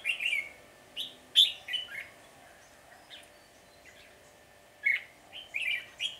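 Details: Wild Red-whiskered Bulbul, the flock leader, chatters aggressively toward a decoy bird in a trap on 10 February 2020. Short groups of harsh chips are broken by a quiet gap of about two seconds, followed by a final cluster.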